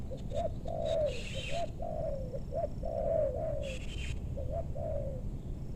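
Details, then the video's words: Spotted doves lured in West Bogor meranti forest, Indonesia, give repeated mellow coo phrases, short rising notes then a longer falling one, while brief higher chirps from another bird and a steady low hum sound behind. "Pikat tekukur ajaran si bucil paksa turun bl suara besar tapi sayang..?"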